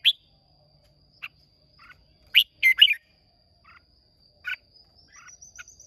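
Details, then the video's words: Hoa Binh Red-whiskered bulbul, Vietnam, singing competitively on 30 May 2023: sparse chirps, then a loud cluster of three rich warbled notes, followed by softer scattered calls and a faint high whine. "Chào Mào Hót Đấu Rất Đẹp Rất Hay"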